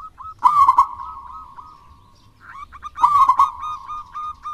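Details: Actively singing local wild zebra dove, recorded to coax lazy doves into song: two strong, burbling coo phrases about two and a half seconds apart, each trailing into a steady note, with softer short coos before.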